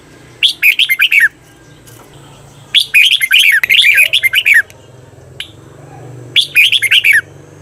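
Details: Doubled (เบิ้ล) song of a caged red-whiskered bulbul for training: three quick, bubbly phrases of bright notes, the middle one longest, over a soft low background hum.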